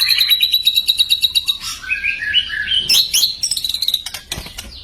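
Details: White-rumped shama song for training silent birds. A fast high ticking trill gives way to a descending series of sweet whistled notes, then buzzy high chatter and a closing rattling trill.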